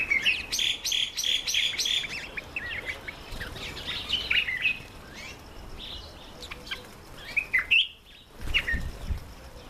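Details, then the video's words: Red-faced mousebird on its first visit to a birdbath, giving a quick run of clipped, high whistled notes repeated several times a second, then scattered thin squeaky calls, with wing flutters and splashy noise near the end. "Red-faced Mousebird's first visit to the Birdbath"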